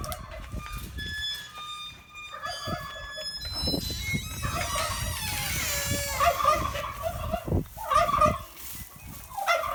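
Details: Rescued turkeys at a farm animal refuge break into rapid, rattling gobbles overlapping in a dense chorus, after several seconds of ringing wind chimes played as daily enrichment.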